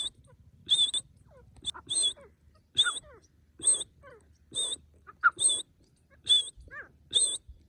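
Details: Grey francolin voice used in hunting; a steady run of piercing high notes roughly every seconds-and-a-half pair, with softer lower squeaks between them and faint background rumble.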